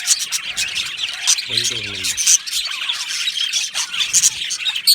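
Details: Many happy budgerigars in an aviary chatter together in shrill, twittering warbles, with a short lower, voice-like sound near the start beneath the steady high chorus.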